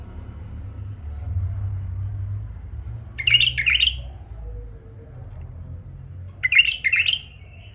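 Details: Tame male bulbul kept as a pet, singing: two short bursts of rich, rapid warbled notes about three seconds apart, separated by quiet with a low hum underneath.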